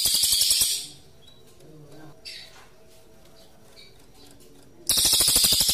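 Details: Rolling 'ngerol' song of a pygmy bushtit (cililin), with gaps between bursts, made to tutor magpie-robins: an intense high pulsed trill fades, a quiet spell with a few faint chirps follows, then another rapid trill begins.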